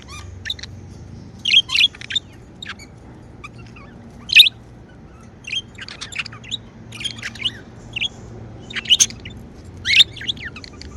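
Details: Happy pet budgerigars chirp almost without pause: quick, scratchy, warbling notes in irregular clusters, several chirps per second at times, over a faint low background hum.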